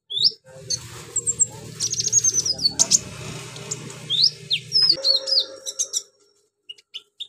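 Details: Singing konin, a sunbird whose song imitates cililin, crickets, golden grasshoppers and chicks, gives rapid high chirps, flicked upslurred whistles and a long thin buzzing trill, ending in scattered sharp notes over a low background drone.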